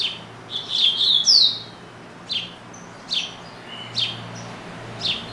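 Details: A pet double-collared seedeater, which sings all day and pauses only to eat, opens with a quick burst of high sweet slurred notes, then gives short bright chirps about once a second over a faint low hum.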